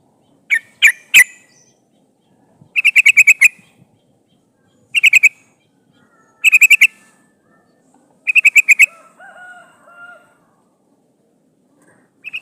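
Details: Female sooty-headed bulbul calling a male, a decoy for trapping wild birds: several separate bursts of quick, harsh chattering notes, with a few single notes first and a soft lower warble near the end.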